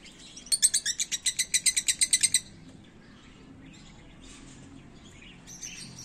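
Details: Lovebirds (Agapornis) in Lagos de Moreno, Jalisco give a fast run of about a dozen shrill, harsh chirps in two seconds, then softer scattered chatter and one more sharp call near the end.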